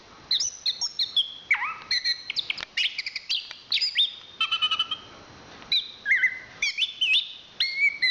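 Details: National champion chestnut-capped thrush (Zoothera interpres) delivering a rich, continuous song: clear whistles dropping and rising in pitch, ringing held notes and quick chattering trills strung together in busy phrases.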